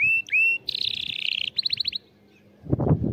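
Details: Canary song for tutoring young birds to sing: high whistled notes, a buzzy sustained trill and a run of fast repeated chips, then a pause and a burst of low rumbling background noise.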